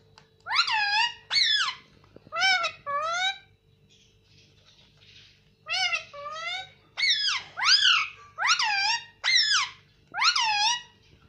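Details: Indian ringneck parakeet talking in Hindi, saying words such as "mummy" and "mitthu": bursts of harsh, nasal, speech-like syllables in groups of two or three, with a pause of about two seconds midway and a faint hum behind.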